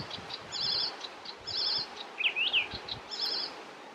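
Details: Icterine warbler singing in Västerbotten on 27 June 2021: high, varied phrases of buzzy chattering notes repeated about once a second, with a couple of clear rising and falling whistled slurs in the middle; faint low background rumble.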